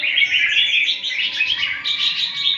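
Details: One-year-old albino red-whiskered bulbul in training; a continuous rich warbling of quick slurred whistled notes, rising and falling, with a man speaking Vietnamese nearby.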